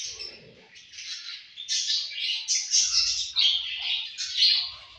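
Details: Pet budgerigars eating and playing together, producing continuous high, chattering warbles and scratchy chirps. The notes follow in rapid, overlapping bursts, with a few low thumps underneath.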